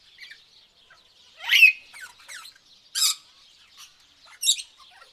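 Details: Tropical birds: loud, harsh squawking bursts at irregular intervals, with quieter chirps and a faint high twittering running throughout.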